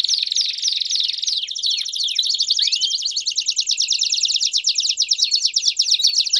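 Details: Canary giving campainha song with piados for young canaries to learn; opens with quick slurred chirps and a few downward sweeps, then settles into a long dense ringing trill.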